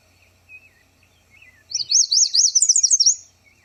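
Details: Yellow Warbler singing in wetland shrubs: a fast, sweet burst of about eight high slurred notes rising at the end, one of the fastest warbler songs; the bird chipping softly before it.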